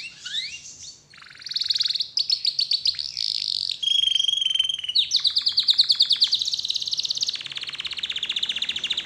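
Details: Canary singing, played to make other canaries sing along: rising whistles, then long fast rattling trills of high repeated notes, a pure held whistle, and dense continuous rolling song to the end.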